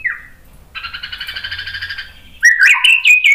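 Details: White-rumped shama song to provoke other birds: a falling whistle, a harsh buzzy chattering note held over a second, then bright varied whistles with sharp accents.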